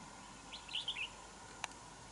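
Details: Wild red-whiskered bulbul drawn into a territorial fight with a decoy bird at a trap: one short warbled phrase of four or five quick fluty notes, followed by a single sharp click.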